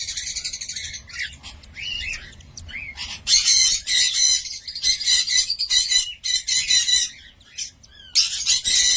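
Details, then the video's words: Cockatiel with rising whistled notes, then loud, grating squawk bursts repeated with short gaps between them. "COCKATİEL SOUND"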